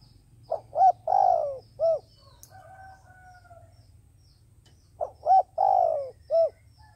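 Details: Cooing decoy spotted dove used for bird trapping repeats a phrase twice: two quick coos, a long descending coo, a short closing coo. A faint steady whistle sounds between the phrases.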